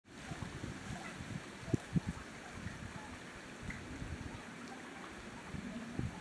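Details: Steady rushing of flowing water with low rumbling and a few soft thumps; no animal calls are heard.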